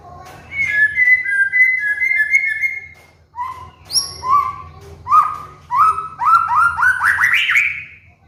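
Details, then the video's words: Caged white-rumped shama master song for training birds in moult: a wavering whistled phrase, then a series of short rising slurred whistles building into a quickening ascending run. A low hum runs throughout. "PANCINGAN MURAI BATU | MASTERAN BURUNG MABUNG"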